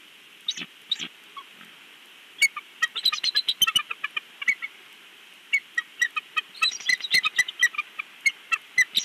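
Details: Live nest cam at Big Bear captures the father bald eagle chattering: a few isolated squeals, then sustained runs of shrill, rapid piping notes, roughly four per second, with clicking sounds.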